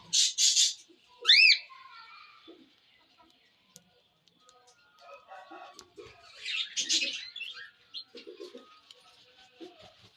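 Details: Cockatiel sounds open with two loud harsh screeches and a clear upward-sweeping whistle, then fall to a quiet pause before a softer patch of scratchy chatter.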